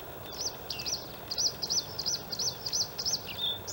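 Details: Singing white-spotted Bluethroat male, Halmstad harbour fill, Sweden, May, in outer reedbed; a fast series of identical ringing arched notes, about three per second, with a few lower chirps interspersed over constant background hum.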